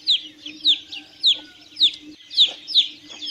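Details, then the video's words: Chicks peeping: sharp, high descending cheeps repeated about every half second, each a quick downward slide, with a faint steady hum underneath. "CANTO E SOM DOS PINTINHOS - PINTINHO PIANDO"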